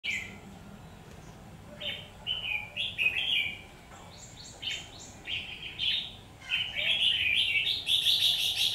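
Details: Red-whiskered bulbul, a trapped bird singing in a fight, delivers a series of short warbled phrases of bright buzzy notes, gaps between bursts, growing louder and denser toward the end.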